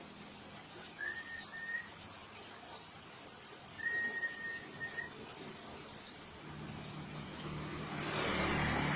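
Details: Rough ngriwik song of an Oriental white-eye: bursts of very high, rapid, slurred chirps in uneven clusters, with two longer, lower, level whistles from another bird and a rising hiss near the end.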